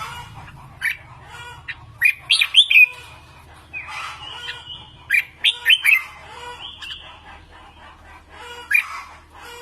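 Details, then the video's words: Red-whiskered bulbul song for training birds to sing: lively clusters of loud whistled notes and warbles come in several bursts, with softer chattering between phrases and a low hum beneath. "Luyện Giọng Chào Mào Mới Nhất | Luyện Chim Hót 2019"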